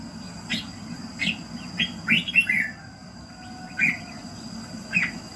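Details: Morning red-whiskered bulbul, a voice-training recording to fire a bird up. Scattered short chirps lead into one warbled whistled phrase, followed by sparse single notes about a second apart. A low hum continues in the background.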